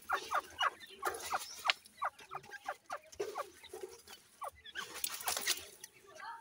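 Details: Grey partridge chicks, known locally as teetar, playing: many short downslurred peeps tumble over each other, mixed with rustling and a brief burst of broadband scratching noise near the end.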